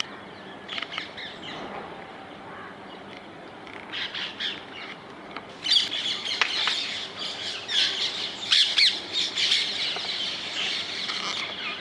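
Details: Wild rose-ringed parakeets in the Netherlands. The first half has softer, scattered squawks; after about six seconds the calling swells into a loud, shrill, rapid chorus of overlapping screeches.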